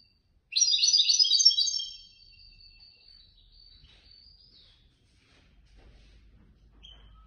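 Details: Competition European goldfinch, third-place winner at an event of a Casablanca bird-lovers' association, sings one dense burst of high, tinkling, buzzy trills. A thin trailing note follows, then near silence with faint low hum.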